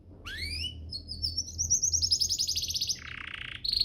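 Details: Canary master song used for training caged canaries to sing: rising whistles sweeping up to high pitch, a fast trilled rattle, then a lower buzzy burst and a brief high trill at the end.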